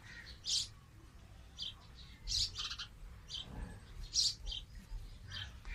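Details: Sparrows, two of them sitting on green branches of a tree, make sharp high chirps, sometimes doubled, spaced irregularly about every second or two over a faint low hum.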